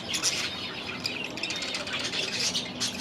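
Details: Young budgerigars settling into a new aviary make a continuous high, scratchy chatter with sharper squeaky notes scattered throughout, over a faint low hum.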